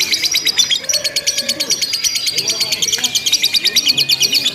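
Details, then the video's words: Lovebird giving long, pause-free ngekek chatter in contest simulation: high buzzy notes repeated very quickly in a pulsing stream, some brief lower tones sounding behind. "LOMBA LOVE BIRD TERBARU 2025 NGEKEK TANPA JEDA DURASI PANJANG"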